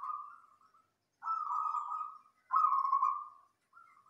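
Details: Local wild zebra dove delivering a loud, dense song used to train other birds: a fading coo, then two strong rolling coos about a second long, and a softer note at the end.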